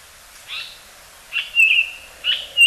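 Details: Japanese paradise flycatcher (Terpsiphone atrocaudata) singing in rain at Osaka Castle Park, Japan, on 9 May 2015: short, slightly husky high notes and a clear, level whistle over a soft steady hiss of rain.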